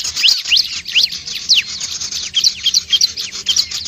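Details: Bar-winged prinia calling to draw in other birds: a fast series of sharp, bright chirps, each a quick downward-then-rising sweep, repeated several times a second with a steady high background hiss.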